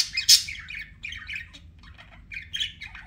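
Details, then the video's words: A short burst of budgerigar warbling from pet birds: a loud shrill squeak, then soft gurgling, buzzy chatter running on without pause. "BUDGIE SOUNDS"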